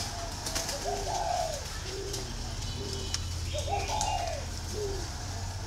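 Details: Green pigeon whistling in clear arched phrases, each a bright rising-and-falling fluty note followed by lower, shorter notes, repeated twice over several seconds above a steady low hum and light clicking.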